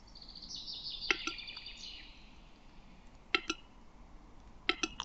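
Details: Male Western capercaillie song from Lithuania: a high hissing, wheezy grinding phrase, followed by sharp double clicks at intervals of about one and a half seconds.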